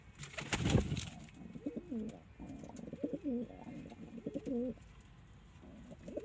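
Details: Loud knock and scuffle at the start, then domestic pigeons give deep, warbling coos in repeated phrases, the rolling notes rising and falling, fading toward the end.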